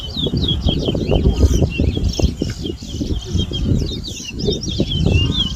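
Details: Towa towa seedfinch in a bird whistling competition at a bird ground in Berbice, Guyana, 2022: rapid, continuous high whistled song of slurred, looping notes, with a low rumble of crowd and ground noise beneath.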